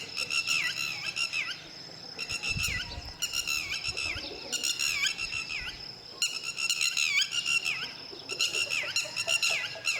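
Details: Lapwing protecting its chicks until they can fly: six bursts of loud, strident calling, each a quick series of notes ending in a down-then-up slurred cry, with a faint steady high tone behind.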